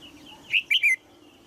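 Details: One crisp phrase of three descending chirps from a female red-whiskered bulbul calling in her cage in Thailand to encourage a young male to sing.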